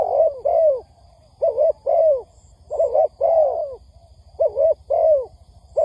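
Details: Spotted dove calling on a trapping lure recording, with soft hollow coos in doublets, each pair ending on a downward-curving note, repeating steadily with brief gaps. Faint high beeps and low background hum.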